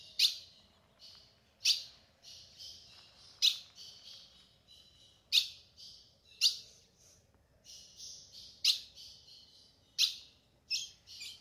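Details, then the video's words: Female ultramarine grosbeak calling in the sertão of the Caatinga to stir a male into singing: sharp, high chip notes about every one and a half seconds, eight in all, with softer hissing high notes between them. "fêmea de azulão chamando pra esquentar e abrir canto do azulão"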